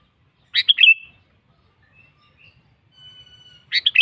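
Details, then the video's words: Sooty-headed bulbul, a prolific singer calling a rival and used as a training model for other bulbuls: two bursts of bubbly, chattering notes with a held whistled tone between them, and faint thin whistles in the quiet gap. "BURUNG KUTILANG GACOR MEMANGGIL LAWAN"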